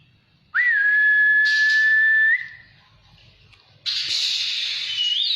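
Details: Oriental magpie-robin sunning outdoors: one long, steady, clear whistle held for about two seconds, then a loud harsh rushing burst.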